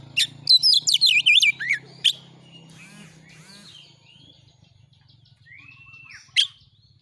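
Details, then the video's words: Kacer, the oriental magpie-robin, singing insistent training material: a quick burst of high, twisting whistles and chatter in the first two seconds, then near quiet with one faint slurred note and a final sharp chip. "masteran Kacer NGOTOT NEMBAK MATERI PANCING CEPAT KACER IKUT NGOBRA NARUNG"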